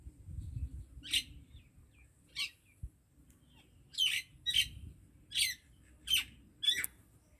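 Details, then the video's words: Common myna giving spaced, sharp chirping notes roughly every half second to second, with quiet gaps and faint low hum. "MYNA BIRD SONG / MYNA BIRD SOUND /MYNAH BIRD SINGING"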